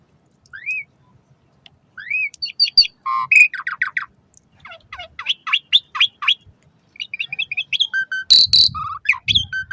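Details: Asian pied starling song for prompting caged birds, morning and evening: upslurred whistles, then long bouts of rapid chattering and buzzy notes, a harsh loud burst near the end.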